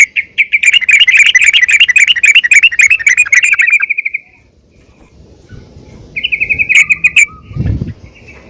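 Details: Female yellow-vented bulbul calling to the male, played to make bulbuls sing; a fast four-second run of sharp chattering notes, then quiet, then a shorter burst of similar notes.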